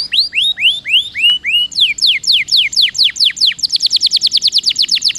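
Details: Canary song used as a lure to prompt lazy-singing canaries to roll: loud high notes, first slow downward-curving whistles, then faster falling sweeps, ending in a rapid trill of many short repeated notes.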